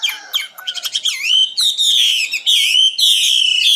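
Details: Common nightingale in song, opening with quick staccato clicks and chirps, then long sweeping, rising and falling whistles delivered in strong sustained phrases.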